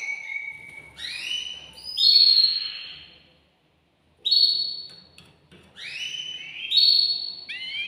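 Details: Excited caged male canary singing to stimulate a female for mating: high whistled phrases rising in steps and sliding upward, a pause near the middle, then the rising sequence repeats.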